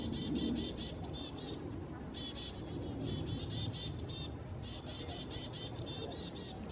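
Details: Chickadees call near a sleeping saw-whet owl in winter in Richmond, British Columbia, Canada. High, buzzy notes come in rapid runs, with thin higher notes between them, over a steady low background hum.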